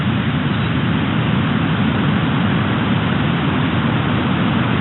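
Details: A steady, loud, low engine-like rumble fills the whole stretch, with no animal voice heard.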